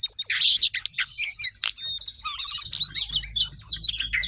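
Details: Sooty-headed bulbul singing energetically, in full voice; a dense, fast run of high chirps, trills and whistled slurs with hardly a pause, over a faint low hum.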